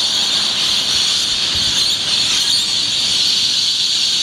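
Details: Thousands of rainbow lorikeets at Yeppoon Main Beach at dawn on 1 June 2013, performing noisy aerial displays, make a dense, unbroken wall of shrill flock screeching with no single call standing out, holding steady throughout.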